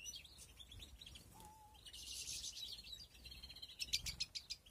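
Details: A 2021 aviary breeding setup holds European greenfinches at the nest. Dense high twittering and trilled chirps come in waves, with one brief lower whistled note near the start and faint low rumble beneath.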